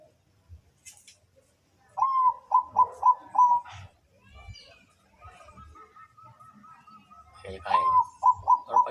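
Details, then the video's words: Zebra dove cooing: bursts of quick, soft, mid-pitched staccato coos and a long, thin, even trill, with faint background noise and brief human voices. "merduh suara burung perkutut"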